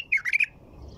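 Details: Single quick phrase from a white-eared bulbul: four liquid, rolling notes that dip and rise, delivered in under half a second.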